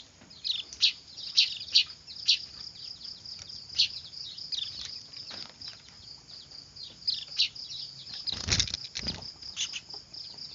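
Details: Noisy weaver chicks, used as a bird-trapping lure: high, thin chirps repeated irregularly over a steady high-pitched hiss, with louder bursts clustered near the start and a brief broadband rustle midway.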